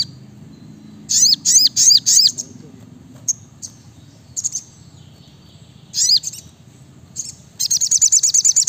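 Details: Sriganti, the brown-throated sunbird, sings energetically. Clusters of four high, downward-sweeping chirps are followed by isolated sharp notes, another short burst, and a closing rapid stuttering trill, with a faint low hum beneath.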